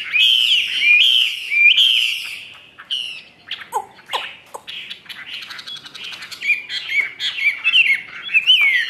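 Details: Caged Chinese hwamei, a bird offered for sale in Vietnam, singing loud slurred whistles that rise and fall, then a stretch of scattered sharp notes and rapid varied phrases.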